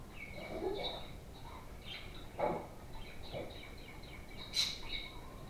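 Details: Playful budgerigars warble at home with a twittering chatter, a few lower throaty notes in between and one sharp, bright chirp near the end.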